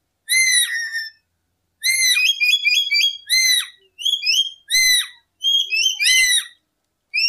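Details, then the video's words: Lory song, local name nuri, for luring birds into traps: a long falling whistle, then repeated bursts of sharp rising whistled notes about once per second. "Suara Burung Nuri Full 1 Jam Masteran untuk Pancingan"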